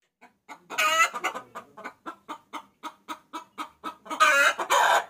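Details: Hen calling to a rooster, used as a lure call: a rapid series of short clucks about twice a second, with louder drawn-out harsh cackles near the start and end.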